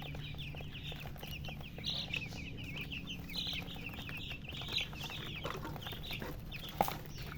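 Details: Baby chicks chirping: a steady stream of short, high, slurred peeps, many overlapping, over a low constant hum and scattered clicks and taps.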